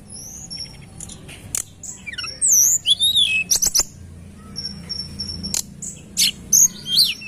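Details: Lure recording of tledekan gunung: thin high whistles and zigzag slurred notes, bursts of quick clicks, and loud phrases clustered in the middle, with soft low hum beneath.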